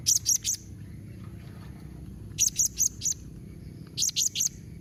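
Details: Blue-crowned hanging parrot, 'nembak mbeset' calling combination used to make other hanging parrots reply: three evenly spaced bursts, each made of three quick, shrill, very high chirps.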